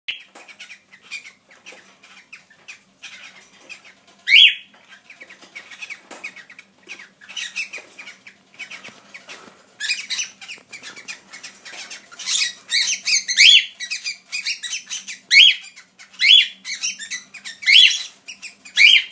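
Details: Four cockatiels give sharp, scratchy chirps that swell into a busy chorus of repeated shrill calls.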